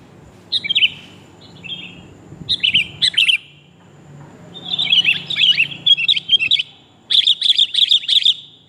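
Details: Calls of a female sooty-headed bulbul to attract the male, used as a trapping lure: scattered short chirps, then longer bursts of rapid chattering, ending in a sharp staccato series.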